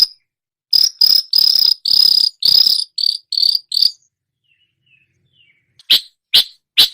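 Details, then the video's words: Long-tailed shrike singing a training song that imitates other songbirds: a run of about seven harsh, buzzy high notes in quick succession, a short quiet gap with faint chirps, then three sharp separate notes. No other sounds. "masteran cendet menirukan semua jenis burung kicau"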